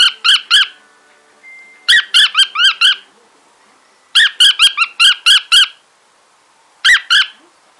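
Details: Pet male cockatiel singing at a piece of wool that excites him. Rapid bursts of three to six sharp, ringing chirps, separated by brief silences, repeat across the stretch. Nothing else is heard.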